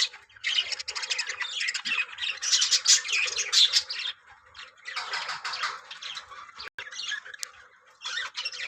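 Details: Breeding colony of yellow budgerigars, Australian parrots, warbling and squawking in overlapping waves. The chatter rises to a loud, dense peak, eases, then returns in bursts, with a steady low hum underneath.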